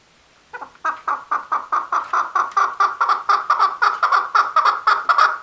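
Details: Male chukar giving a rapid series of harsh, clucking chuck notes, nearly two per second, starting after a brief silence and growing steadily louder and more insistent.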